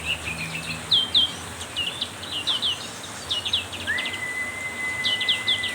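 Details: Black-capped white-eye singing very actively during heavy rain: quick high chirpy twittering notes in short bursts, with one long, flat, sustained whistle near the end, over a steady hiss of rain.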